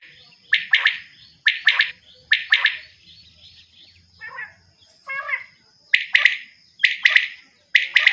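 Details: Female common quail calling in short bursts of two or three sharp, bright chirps, repeated about once a second, with a softer rasping trill partway through; a thin steady high whine runs throughout.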